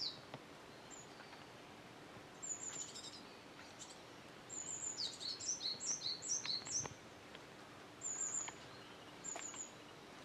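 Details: Japanese tit fledgling, one day out of the nest, still perched in a nearby tree in the morning and fed by a parent, 5 July 2013; thin high chirps and a rapid burst of sharp descending notes mid-clip.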